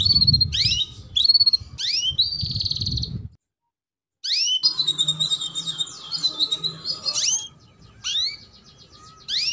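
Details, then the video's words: Chirping female canary, the 'cuit cuit' lure used to coax young canaries into song; a few sweeping chirps, a short silence, then a busy run of rapid twittering notes followed by more spaced chirps, with low rumbling noise. "PANCINGAN Kenari BETINA Cuit Cuit"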